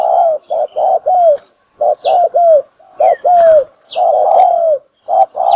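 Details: Spotted dove calling as a lure for trapping wild doves: a rapid run of short hollow coos, some down-slurred, in uneven groups, with thin high chirps of other small birds outdoors behind.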